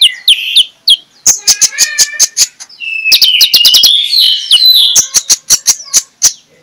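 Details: Magpie-robin singing in the morning as a lure for other magpie-robins: whistled phrases, fast runs of sharp ticking notes, and a sustained warbled passage in the middle.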